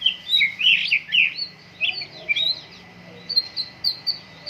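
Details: Vigorous white-rumped shama song at morning dew airing, a dense run of high chirpy and whistled notes, loudest at the start, then sparser quick bright notes toward the end.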